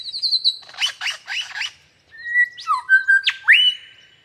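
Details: Superb lyrebird with a mixed sequence: thin high notes, then a string of harsh squawky bursts, followed by clear whistled tones and steep rising sweeps ending on a sustained whistle.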